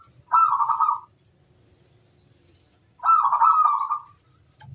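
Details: Local zebra dove song aimed at challenging rivals: two bubbling, rolling coo phrases about three seconds apart, each starting with a bright note and trailing off, with faint high chirping between.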